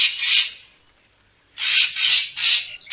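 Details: Racket-tailed treepie, a recording used to lure birds for photography: one grating, noisy burst, a second of silence, then three harsh rasping calls in quick succession.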